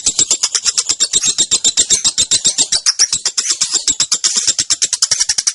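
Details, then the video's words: Long ngekek from a young female lovebird, the ticking 'ngetik konslet' style played to train and provoke other birds: shrill, evenly pulsed chattering at about four notes per second, loud and continuous throughout. "Suara Burung LOve Bird Betina Balibu Kusumo Ngetik Konslet Ngekek Pancingan Masteran Panjang"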